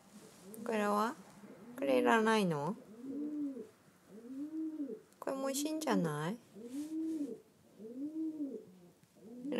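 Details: Captive rescued crow, angry after another crow took food it had hidden in a towel: harsh, drawn-out caws in short bursts between rounds of softer, rising-and-falling nasal calls; a person's voice may also be heard.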